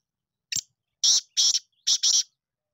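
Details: Young Black Francolins (chicks) brought from Sindh, Pakistan: a single short click, then three harsh, grating, high-pitched bursts in quick succession, each about a third of a second long.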